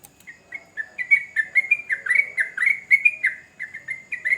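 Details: Energetic yellow-vented bulbul song, somewhat distant: a soft start growing into a chain of gurgling, bubbly whistles with downward slurs, steady and continuous.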